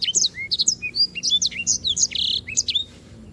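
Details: Canary singing actively for a bird-training tutor track: a dense, fast phrase of high, sliding whistles, chirps and a brief buzzy note, ending abruptly after nearly three seconds into quiet hum.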